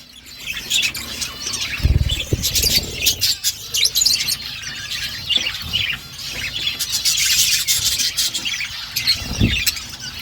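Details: Budgerigars in an outdoor aviary, a flock chattering with dense, scratchy high-pitched warbles and chirps that overlap continuously, plus a few low thumps.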